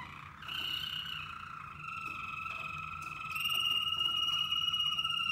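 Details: Waterslager canaries combined for song training toward desired melodies, tones, depth and tempo. Two steady whistled tones roll on together, then swell louder with a bright, fast-pulsed trill.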